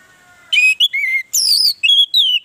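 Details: Orange-headed thrush song played as a lure to prompt other birds to sing: clear whistled notes sliding downward, then a loud rapid run of varied rich phrases, with a faint steady tone beforehand.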